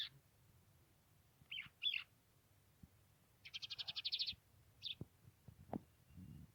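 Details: Trained, hand-tame lark singing in the open: short high scratchy notes, then a rapid buzzy trill of about a dozen pulses lasting under a second, followed by a few sharp isolated chirps and soft clicks against a quiet background.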